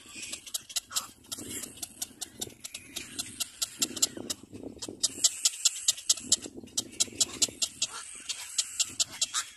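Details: Little black cormorant caring for its chick: rapid runs of sharp, raspy clicking pulses, about two or three per second, broken by short pauses, with softer low rustling and wheezy noises underneath.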